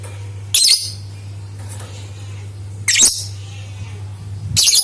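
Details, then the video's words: Lovebird sound used as a lure to stir other lovebirds into singing: three short, harsh, shrill chattering bursts spaced about two seconds apart over a steady low electrical hum. "Suara Burung Lovebird Untuk Pancingan"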